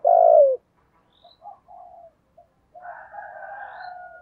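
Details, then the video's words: Spotted dove calling in the low 'thổ' style to attract wild doves; one strong falling coo opens, followed by faint scattered notes and a long, softer, wavering coo. "cu gáy giọng thổ thúc gù gáy gọi cực đỉnh giọng hay kích bổi hiệu quả"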